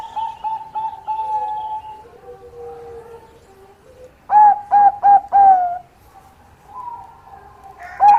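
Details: Zebra dove of the Bangkok type, a keen singer good at luring an opponent's voice: soft trilled whistles and low humming notes, then four loud, staccato coos in quick succession ending in a drawn-out note, with a final coo.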